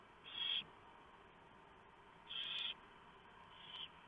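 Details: Night at a barn owl nest, 3:59 AM, 3 November 2015, with prey delivered by the male and torn up for the owlets; three harsh hissing bursts roughly two seconds apart, the last one softer.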